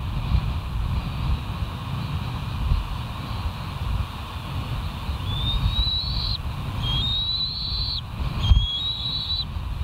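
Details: Live nature camera at the West End bald eagle site, 17 August 2023 at 07:41; after several seconds of rumbling wind-like noise, three rising, thin whistled whines follow in quick succession.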